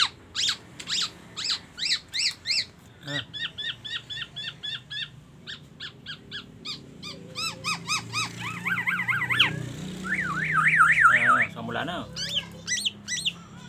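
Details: Black-naped oriole in full song, its repertoire filled with imitations of oriental magpie-robin and an ambulance siren: rapid runs of sharp repeated notes, several per second, then a wavering siren-like warble toward the end; a man talks briefly.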